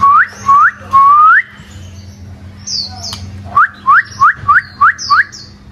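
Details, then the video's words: Loud first-year white-rumped shama, one moult season old, giving clear whistled notes that each slide upward, three spaced phrases then a quick run of six similar rising whistles, with a few faint higher chips between them. "Choè lửa 1 mùa lông hót cực hay"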